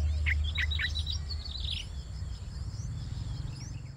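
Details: Yellow-vented bulbul chicks on their fifth day, calling hungrily during a feeding: a rapid burst of sharp, high twittering chirps in the first two seconds, then quieter, with constant low background rumble.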